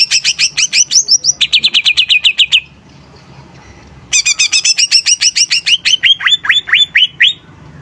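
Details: Greater green leafbird song: rapid runs of sharp, high, slurred notes, first rising whistles then a steady buzzy series, a pause of quiet, then another fast burst of bright chirps ending in downward-sweeping notes.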